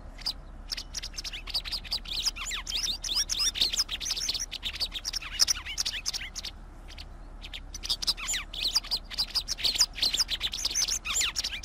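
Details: White wagtail song: a long run of rapid, high twittering chirps and sharp tweets, with dense bursts and a short quieter gap near the middle before the chattering resumes just as busily.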